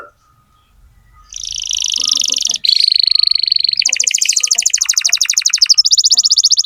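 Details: Strongly singing canary serving as a model for tutoring young canaries. High, buzzy rolls shift into a very fast, even rattling trill that continues for several seconds with little pause.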